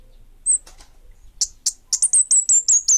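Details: Orange-headed thrush, known as kemade bunga api, in lively song: a single high whistle, a pause, a few sharp notes, then an accelerating run of shrill, very high, downward-slurred whistles repeated several times a second.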